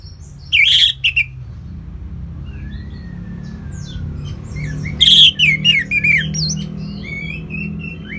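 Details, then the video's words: Orange-headed thrush in ngeplong style, kept in North Bali: two loud bursts of harsh, high chattering whistles about four seconds apart, with a soft long slurred whistle and low background hum between. "ANIS MERAH Ngeplong Lemas"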